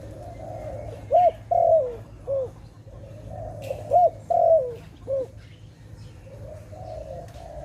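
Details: Dove in a trapping setting, tagged Malay dove: two clear phrases of low, rolling coos, each of three quick notes with a rising-falling lilt, separated by a pause, over soft hum.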